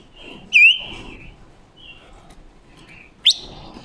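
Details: Female decoy Red-billed leiothrix, a wild-caught bird, singing to train other birds' voices and lure them into traps, October 2021: a loud sharp whistle, a drawn-out level whistle and a brief upslurred note at the end.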